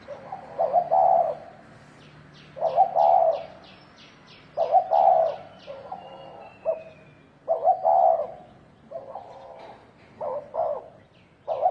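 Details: Fighting spotted dove, thổ đồng style, coos repeatedly: low hooted phrases of stuttered starts and drawn-out notes roughly every two to three seconds, with thin high chirps from another bird and a faint low hum.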